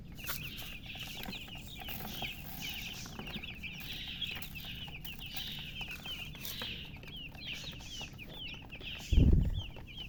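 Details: Just-hatched chicks chirping loudly: many overlapping high, thin peeps, each rising or falling, repeated rapidly over a constant low rumble, with a brief loud thump near the end.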